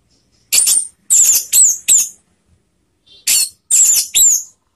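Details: Orange-headed thrush calling: loud, harsh, very high rasping notes in two bursts of three or four, each note with a thin downslurred whistle inside, with a pause of over a second between bursts.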